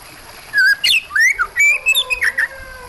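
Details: Kacer, the Oriental magpie-robin, singing with water in the background: a varied string of rich whistles, rising and falling slurs and short sharp chips, about a dozen loud notes in quick succession.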